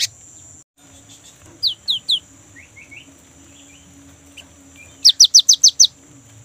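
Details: Young great tit singing, used as a lure so kept birds sing: a few soft falling whistled notes, faint twitters, then a loud series of six clear downslurred notes repeated quickly and evenly, over a constant high hum.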